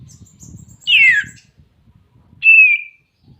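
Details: Greater green leafbird calling a rival: two loud whistled notes, the first slurring down over half a second, the second a level then slightly falling whistle, with faint low rumbling background.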